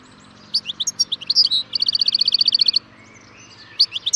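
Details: European goldfinch singing loudly: liquid high twitters, then a fast, even run of about twenty repeated buzzy notes lasting a second, a pause, and more tinkling chirps.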